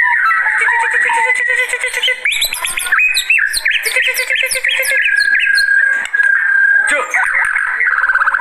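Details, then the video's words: Agitated white-rumped shama (murai batu) in full, intense song for luring and tutoring: rapid rattling note series, then bright sweeping whistles and fast chattering trills, loud and continuous throughout. "Begini Kalo Burung Murai Batu Kalau Sudah Naik Emosinya"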